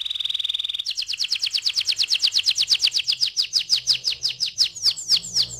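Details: Canary in rolling 'ngeroll' song, played as a lure to spur other canaries to sing: a fast high trill, then a long run of quick downward-slurred notes repeated about three per second.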